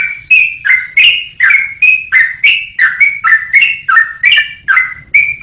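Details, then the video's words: Song of a yellow-vented bulbul for tutoring songbirds: clear liquid whistles in quick succession, each note sliding slightly, about three per second, with a quiet background. "KICAU BURUNG TRUCUKAN BUAT MASTERAN"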